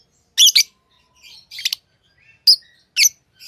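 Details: Pet lovebirds, hand-tamed birds, chirping: loud shrill squawky chirps in short separated bursts, some doubled, with softer chattering notes between and otherwise quiet background.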